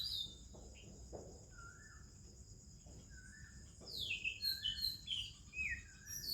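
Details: Morning Oriental magpie-robin song amid other birds: scattered soft notes give way to a lively burst of descending whistled slurs and crisp chirps, over a continuous thin high-pitched drone.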